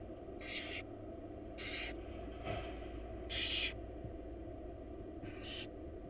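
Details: Hissing begging screeches from wild baby barn owls being fed by their mother in a Florida nest box, five rasping bursts in about six seconds, one louder than the rest, over low background rumble.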